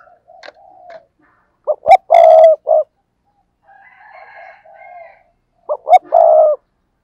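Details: Spotted dove used as a decoy, calling twice: each phrase is two quick short coos then a long loud coo and a brief closing note, with soft murmuring coos in the pause between.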